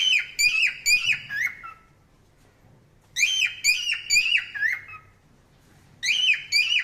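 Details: Three bursts of parrot chirping, each a quick series of four or five bright, rich chirps with short rising-then-falling notes, separated by silent gaps of about a second and a half, in a quiet indoor room.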